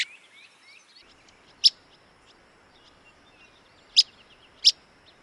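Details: Willow flycatcher in Wisconsin giving three sharp, very short whit-like notes at irregular intervals over soft background hiss, with faint trills of other birds at the start.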